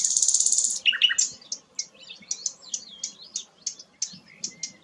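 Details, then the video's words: Sikatan londo, a rare flycatcher, opens with a dense buzzy trill, then gives a twittering burst followed by spaced sharp high chips, roughly three per second. "burung langka sikatan londo"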